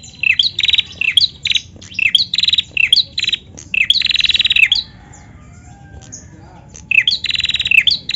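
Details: Female bar-winged prinia, used to provoke singing in other birds: chirp-led bursts of fast buzzy trills, arranged in quick series with a gap of about two seconds before calling resumes.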